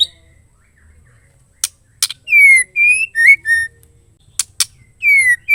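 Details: A female white-rumped shama gives clear, slurred high whistles mixed with sharp dry clicks in short bursts; her calls are used to provoke male shamas into singing.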